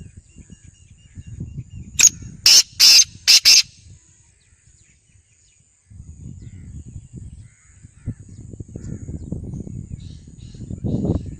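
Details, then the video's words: Black francolin in Khairpur Mir's, Sindh: four loud, harsh, rasping notes in a quick burst near the middle, over faint twittering of other small birds and a low rumbling background. "Kala teter | black francolin | in khairpur Mir's sindh"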